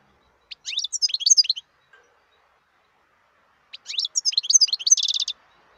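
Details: Two phrases from a wild European goldfinch, each a quick tumble of high, liquid, up-swept twitters; the second phrase ends in a dense, rapid trill. A short quiet gap separates them.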